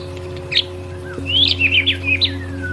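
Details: Murai batu (white-rumped shama) gives a quick phrase of bright, twisting whistled notes ending in a long falling slur, with a steady hum behind.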